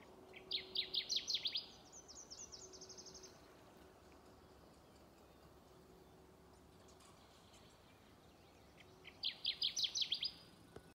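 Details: A Kirtland's warbler in Michigan, 2020, gives two loud, emphatic songs of rapid staccato chips ending in a brighter flourish, about eight seconds apart, over a faint low hum.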